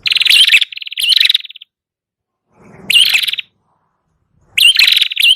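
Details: Red-headed prinia song for luring: loud buzzy trilled phrases with sharp chirps, separated by long gaps, with a faint low rumble before the middle phrase.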